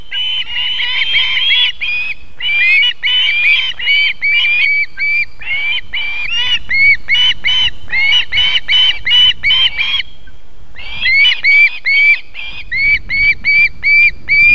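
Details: Female osprey feeding chicks at a nest in Võrumaa, Estonia, 31 July 2021, 19:51: long bursts of rapid, ringing whistled notes repeated more than twice a second, pausing briefly midway before resuming in a steadier series.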